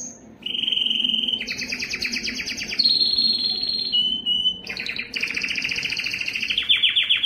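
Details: Belgian canary delivering its loudest courtship song to attract breeding females: varied tours of rapid rattling trills and steady whistled notes, shifting pitch every second or two, with a short pause midway.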